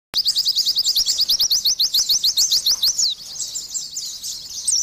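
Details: Oriental white-eye singing: after a brief silence, a rapid train of sharp, high, upward-slurred chirps, about ten per second for three seconds, then softer scattered chips ending in a higher note.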